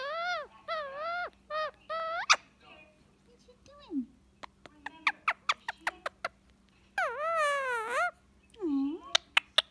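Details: Pet Indian ringneck parakeet chattering while relaxing with its owner in the evening: harmonic rising-and-falling squeals in quick bursts, a run of sharp clicks, and a long wavering whine, over a steady low indoor hum.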